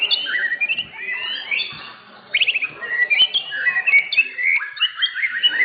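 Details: White-rumped shama of the blorok type, first-place winner of session 7 in a bird-singing contest at an Indonesian contest arena. The song is a rich run of loud whistled phrases, rising and falling slides and quick trills, with a short pause mid-song.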